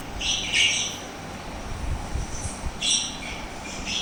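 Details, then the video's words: Lovebirds, made very active and energetic by hearing lovebird sounds, give shrill, squeaky chirps in two bursts, one near the start and another about two seconds later, over a low rumbling background. "How they Reacted on LOVE Birds❤️ Sounds"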